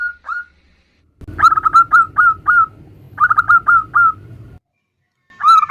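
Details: Female zebra dove calling for the male: short clusters of quick, bright coo notes separated by pauses, over a steady low rumble, with a final loud note at the end.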